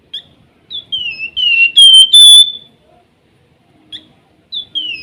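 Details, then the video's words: Flamboyan giving its nyiul whistle: clear, slurred high notes that slide downward, then a loud ringing note. Brief whistled phrases return after a pause. "Flamboyan gacor rajin bunyi nyiul"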